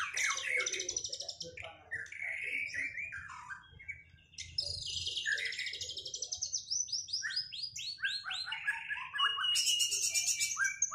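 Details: White-rumped shama in a duel after moulting, to bring back its singing form: a long, rich, varied song of whistles, fast buzzy trills and descending slurred notes, loud and continuous for the whole stretch, with a faint low hum beneath.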